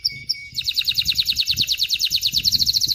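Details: Canary singing to train chicks and prompt females to mate: two short high notes, then a fast even rolling trill of bright pulses, roughly eight per second, with faint low background noise.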